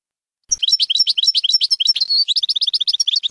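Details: Goldfinch, Baynam Ghazarat song for training young birds; an unbroken run of quick, high, regularly pulsed twittering notes with a short buzzy whistle midway.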